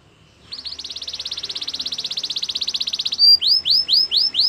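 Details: Canary singing a training song: a fast even rattling trill held for over two seconds, followed by a series of loud sharp downslurred whistled notes repeated about three per second.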